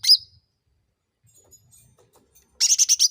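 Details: Sooty-headed bulbul lure sound used to provoke other birds to answer: one faint high chirp at the start, a quiet gap, then a quick burst of about six sharp, bright notes at the end.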